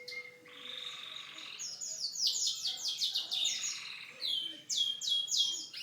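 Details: Canary delivering its unique song: a flat whistled tone, a buzzy sustained note, then rapid series of bright descending chirps repeated in quick bursts.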